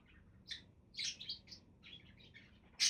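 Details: Budgies give quick squeaky chirps and scratchy warbles in a rapid run, ending in a loud sharp shriek, against a soft low hum.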